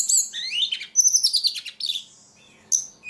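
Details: Energetic ledekan song of tumbling high chirps and slurred whistles packed closely together, trailing off into a short pause before one final sharp note.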